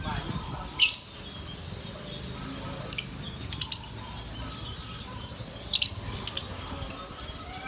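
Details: Green lovebird kept as a pet parrot, giving sparse high, sharp chirps in short clusters, single squeaks and quick runs of three or four notes separated by pauses of one to two seconds, over a low background hum.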